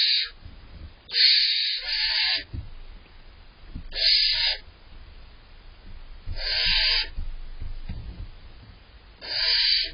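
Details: Hungry barn owl owlets waiting inside a nest box for the parents to bring prey give five long rasping hisses over ten seconds, spaced unevenly, with quiet shuffling and thuds in between.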